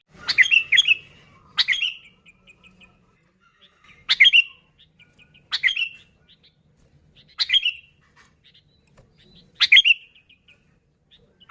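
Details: Sooty-headed bulbul audio for attracting bulbuls: sharp, falling notes given about every two seconds, each followed by faint soft twitters, with near silence between.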